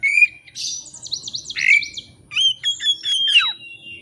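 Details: White-rumped shama song for luring a bird to sing against a rival: a clear whistle, a rapid series of repeated sweeping high notes, a loud slurred whistle, then a trilled warbling phrase.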